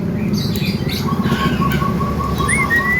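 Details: Javan myna mimicking sounds it hears: an evenly spaced run of short mid-pitched notes, then a clean rising-and-falling whistle near the end, over a steady low rumble.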